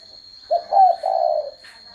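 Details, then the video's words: One spotted dove phrase: a short low note, a louder bending hoot, then a longer purring coo, over a constant high-pitched electronic tone. "CHIM CU GÁY"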